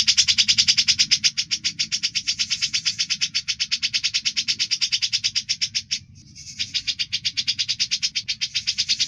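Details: Grey-cheeked bulbul singing loudly and continuously, a long clear rattling trill of fast buzzy pulses, broken by one brief pause before resuming, with a low background hum throughout.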